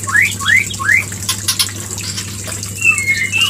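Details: White-rumped shama, used as a lure to trigger mating: three quick rising whistled upslurs, a burst of clicking, then high thin slurred whistles at the end.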